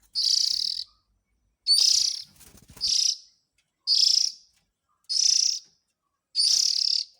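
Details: Lure recording of young Oriental magpie-robin calls aimed at parent birds. Six harsh, sizzling bursts of about half a second each fall at irregular intervals of a second or more. A brief clatter comes after the second burst.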